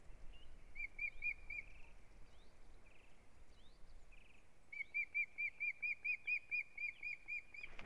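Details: Ospreys at a nest on a live nest camera on 6 April 2017, the male with a large fish, and the female also there. A rapid series of short chirped notes, about two a second, with steady background noise.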